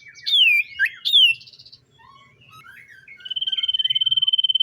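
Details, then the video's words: Common iora singing in the morning: two loud descending whistles with a buzzy note, soft scattered twitters, then a long rapid, even trill held on one pitch. "SIULAN TERMERDU BURUNG SIRTU DI PAGI HARI"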